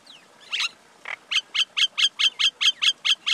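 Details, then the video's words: Common myna, male and female, calling: a couple of harsh opening notes, then a fast, even run of about eleven clear, sharp chirps on one pitch, roughly five per second. "Call or Song of Male & Female common Myna, Acridotheres tristis"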